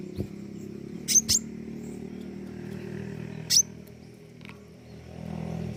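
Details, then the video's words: Lively pentis raja flowerpecker giving a quick pair of high, thin ticks and then one more after a pause, with a steady low hum and faint background noise. "burung pentis raja gacor"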